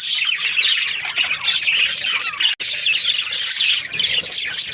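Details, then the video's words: Breeding-season Australian budgies chattering as a group: harsh squawky chirps and fast twittering fill the sound, broken by a brief silent gap midway before the dense chatter resumes. "Happy budgies chirping sounds |Australian budgies breeding season"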